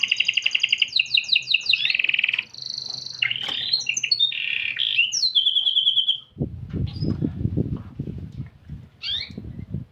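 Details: Chatty canary delivering its unique cengkok song: sharp rapid staccato notes, then buzzy sliding phrases and a steady whistle, followed by low thumping and rustling noise with a few faint chirps.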